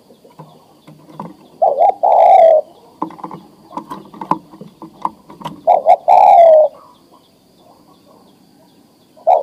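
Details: Adult male spotted dove, ready to breed, calling to a female: deep, rolling coos in paired bursts a few seconds apart, with softer low murmurs and a few clicks between phrases.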